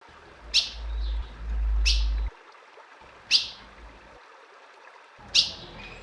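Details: Female ultramarine grosbeak calling to excite a male: four sharp, high, downward-sweeping chips spaced about one to two seconds apart, with a low rumbling hum beneath the first half.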